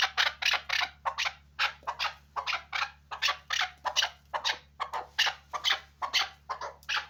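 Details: Chukar partridge kept for hunting calls in rapid harsh chucks, each note a broad rasping burst, repeated roughly twice a second with uneven spacing over a steady low hum.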